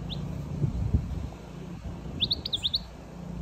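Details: European goldfinch giving a single thin high note early on, then a rapid burst of about six bright, high, slurred twittering chirps near the end, over a constant low droning hum.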